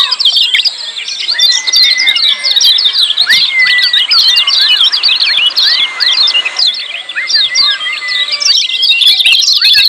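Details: Crowded, noisy lemon-bellied white-eye ciak calls, with rapid high chirps filling the whole stretch and a run of short stepped whistles in the first half.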